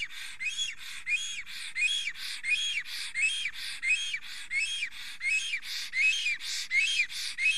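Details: Estonian male black stork singing excitedly at his nest, 30 April 2020, while a female lingers nearby. Continuous pulsing sequence of airy, squeaky wheezes with bowed whistle tones, repeated steadily about one and a half times per second.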